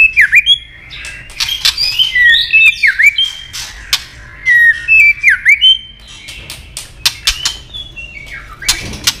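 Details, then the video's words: Female white-rumped shama calling to rouse males for fighting; repeated V-shaped swooping whistles with rapid sharp clicks, phrases recurring about every one to two seconds. "Chòe lửa tạch líu giọng mái kích lửa"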